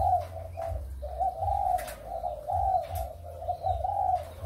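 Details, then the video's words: Spotted doves of Malaysian and Thai breeding stock, recorded 23 August 2021, giving a steady run of soft mellow coos, phrases of two to three notes repeated back to back, over a constant low rumbling hum. "cu gáy sinh sản malaysia và thailand"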